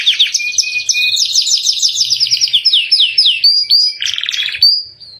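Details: Canary delivering a rich, varied song, used as a training master for caged birds: quick rolling high trills, then sweeping downslurred notes, a buzzy rattle, and a final clear whistled tone.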